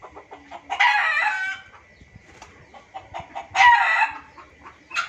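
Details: Junglefowl calling for luring: two loud raspy crows well apart, with soft clucks and a steady thin high whine between them.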